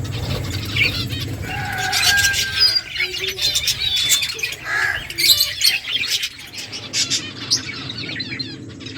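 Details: Finches chirp in quick, high, overlapping notes while eating, with soft wing flutters and some low background rumble.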